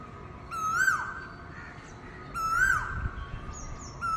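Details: Asian koel calling loudly early in the morning from a wire outside a window: two rising, fluty calls about two seconds apart, with higher thin chirps from another small animal and a steady background hiss.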